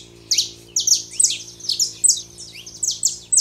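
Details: Saffron finch pair, male and female, singing to stir a silent canary: bright clipped chirps in quick succession, each a sharp high downward slur, with a faint low hum beneath.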